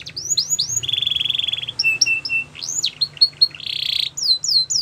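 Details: Canary singing a training song: swooping whistled notes, a sustained buzzy trill, short clipped chips, then another rolling trill and descending whistles, high-pitched and varied.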